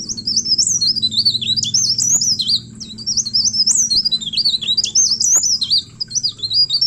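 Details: Leaf warbler song used to lure other birds into calling: very high, thin, rapid twittering of wavering notes, continuous and jittery with short breaks, over a steady low hum.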